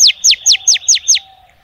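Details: Six rapid, evenly spaced, sharply descending whistled notes from a female oriental magpie-robin calling to males, about one every fifth of a second.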